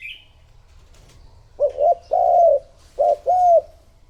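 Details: Decoy spotted dove calling to attract others: after a brief faint chirp from another bird, two low coo phrases follow, each a short clipped note then a longer smooth one.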